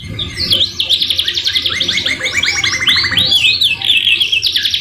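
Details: Continuous varied canary song, a masteran recording mixed with murai batu phrases: rolling rapid trills, stepped arching notes, and high sweeping whistles that run without pause throughout.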